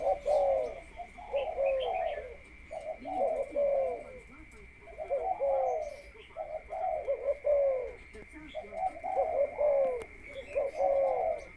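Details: Spotted dove kept as a ground decoy, in conditioning before breeding. Soft, low cooing phrases come in clustered bursts with short pauses between groups, over a steady high-pitched hum and faint background noises.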